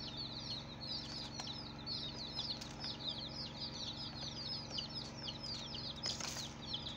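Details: Day-old chicken chicks, several together, giving a nonstop chorus of shrill descending cheeps, a few clicks and a brief rustle near the end, all over a persistent low-pitched hum.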